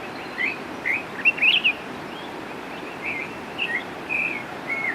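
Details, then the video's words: Northern oriole giving short, clear whistled phrases: a quick cluster of bright notes early on, then scattered slurred whistles after pauses, against soft steady background noise. "El Turpial Norteño"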